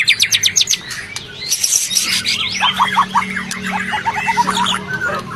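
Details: White-rumped shama singing, played to make stressed shamas that have stopped singing answer back: rapid clipped notes at first, then a jumble of fast varied chattering phrases over a steady low hum.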